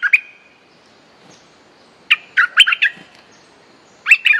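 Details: A Streak-eared bulbul sings short, choppy bursts of chirpy notes as a fierce territorial lure song, three groups with pauses between, the first ending in a drawn-out whistle.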